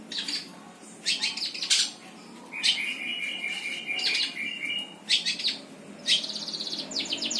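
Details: Bird song of short crackling bursts broken by a long, steady, slightly trilled whistle held for over two seconds, then more sharp buzzy phrases.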